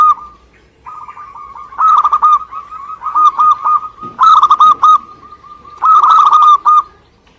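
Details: Song of a local zebra dove in Indonesia: a soft lead-in note, then a long series of rolling cooing phrases, four bursts of rapid pulsed notes running nearly continuously before trailing off.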